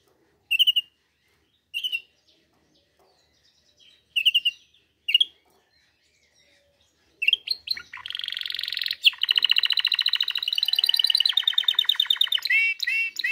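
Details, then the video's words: Canary singing: short separated chirps repeated every second or so, then a long continuous run of rapid trills and rolling, buzzy tours, with some rising whistled notes at the end. "canary singing video best canary singing"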